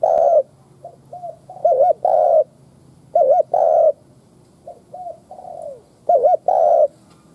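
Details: A Spotted Dove gives cooing lure calls, repeating low, soft coo phrases about every one and a half seconds, each a quick wavering double note ending in a longer, hollow coo.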